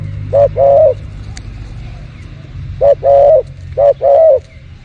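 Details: Spotted dove behind house plants, recorded for bird luring, cooing three times: each a quick short note leading into a longer mellow coo, separated by pauses of about one to two seconds, over a low hum.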